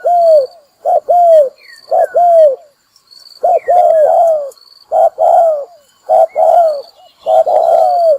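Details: Spotted dove calling as a trapping lure: groups of two or three mellow coos, the last note long and sliding down, a brief pause near the middle, soft high whistles and an insect-like trill in the background.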